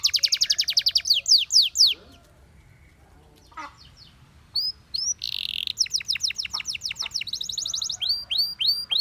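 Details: Canary singing a fast trill and descending whistled notes, a quiet gap, then buzzy phrases and further quick repeated chirps and slurred whistles.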